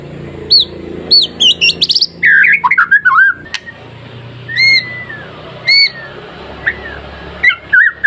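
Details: White-rumped shama singing masteran song to rouse other shamas: a rapid burst of high sweeping whistles and warbled slurs, then spaced, clear upslurred notes over a steady low background hum.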